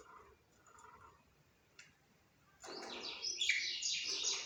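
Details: A budgerigar bursts into rapid, buzzy warbling chatter after a near-silent opening with a single faint click, the sound grating and continuous to the end.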